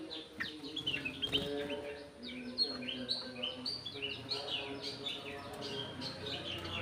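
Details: Golden-fronted leafbird kept in an aviary, singing a rapid, busy run of sharp chirps and short downslurred whistles, notes tumbling one after another almost without pause, over a steady low hum and faint background murmur.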